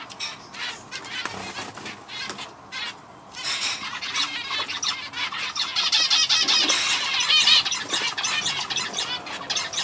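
A male zebra finch sings a fast jumble of nasal, buzzy notes and squeaky toots.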